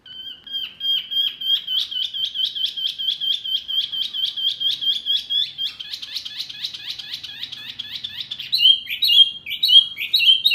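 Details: Masteran birdsong for caged birds such as Murai, Kacer, Cucak ijo and jalak: a long, even trill of rapid clipped notes for eight seconds, ending in louder, irregular paired whistles.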